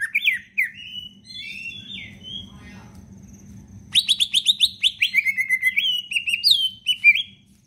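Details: Captive leafbird valued for its melodious whistling, singing a lure song for sluggish birds: a few scattered whistled slurs, a quiet gap, then a dense, rapid stream of high warbled notes with constant low humming noise.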